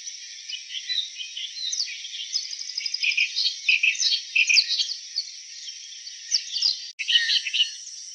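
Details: Clamorous reed warbler in song, delivering varied chattering phrases of harsh notes mixed with quick clicks and brief whistled upslurs. Pauses and a sudden break near the end, over persistent high hiss.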